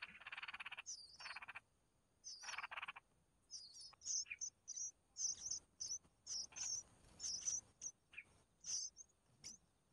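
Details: Red-whiskered bulbul mother feeding her chicks. Thin high chirps repeat rapidly in clusters, mixed with short rasping buzzy bursts; quiet background.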